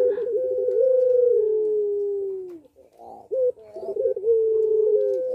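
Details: Caged puter pelung dove in breeding condition, singing persistently. A sustained hooting coo slides slowly downward and fades, followed by a short pause, then clipped notes leading into another long steady coo.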